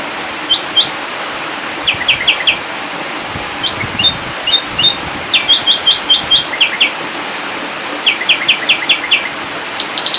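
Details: Ashy drongo song in the 'full tembakan' style, recorded for training birds: rapid volleys of three to five sharp, high whistled notes, repeated in bursts every second or so. Loud steady hiss throughout.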